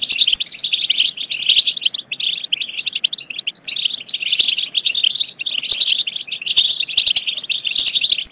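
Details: European goldfinch twittering song, played to encourage goldfinches to sing and mate. The stream of bright chirps and jangling trills is almost continuous, swelling in louder bursts roughly every two seconds.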